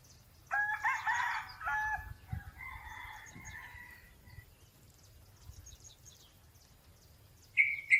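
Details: Red junglefowl perched in forest trees gives one hoarse, clipped crow that breaks off sharply after about four seconds; small birds chirp high in the background, light wind in the canopy, a brief whistle near the end.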